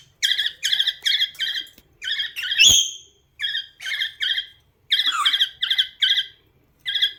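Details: Caged pet cockatiel working hard at singing to a companion parrot: steady runs of quick, evenly spaced chirped notes in groups of three to five, broken once by a loud rising whistle, in a quiet indoor room.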